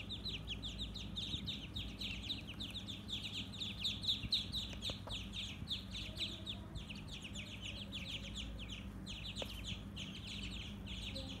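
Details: Ducklings on a farm giving a dense, continuous chorus of high, short peeps in quick overlapping series, with faint low rumbling noise beneath.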